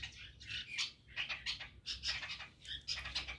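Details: Early-morning chestnut-tailed starlings interacting with each other: bursts of scratchy, buzzy chattering notes in clusters roughly every half second, with quiet low background rumble.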